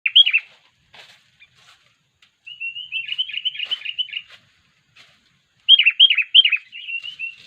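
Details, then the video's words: Sooty-headed bulbul giving an unusual call used for luring wild bulbuls: short bubbly slurred notes, a pause, then a level warbling run, and more quick looping phrases at the end. "kutilang suara aneh"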